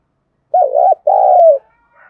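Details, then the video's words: Lure spotted dove cooing to bring wild doves close, in thúc and calling-coo style; one deep two-note phrase, short undulating coo then a drawn-out falling one, followed by a faint thin whistle. "Tiếng cu gáy mồi chuẩn nhất thúc và gáy gọi chuẩn kích bổi"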